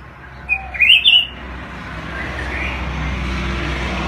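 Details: Red-whiskered bulbul singing a quick, liquid warbled phrase of rising and falling whistled notes lasting under a second, over steady low background hum.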